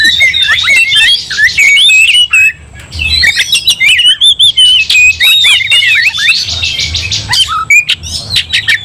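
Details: Oriental magpie-robin in an aggressive fighting mood, its agitation setting off other magpie-robins: loud, rapid torrent of varied whistles, slurred rising and falling notes and harsh scratchy bursts, nearly continuous with brief pauses near three and seven seconds.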